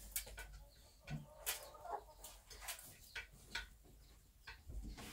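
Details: Bantam hen sitting in her nest on a small backyard farm, giving short broadband clucks and scattered murmuring notes at irregular intervals, with faint rustling between calls.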